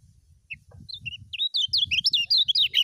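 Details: Ngejos-style song of a Lombok lemon-bellied white-eye: a few separate high whistles, then a quickening, loud cascade of varied chirping notes that fills the last second, with a soft low rumble underneath.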